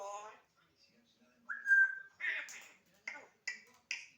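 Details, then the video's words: Household African grey parrot vocalising: a nasal voice-like sound, a clear level whistle, then a harsh broadband phrase and several short clicking, sputtering notes repeated about every half second. "African grey talking and coughing"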